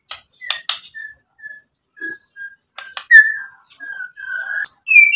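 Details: White-rumped shama song played as a lure to provoke other shamas into singing: sparse, widely spaced clear whistled notes near one pitch, broken by sharp clicks and brief high chips, with pauses between phrases.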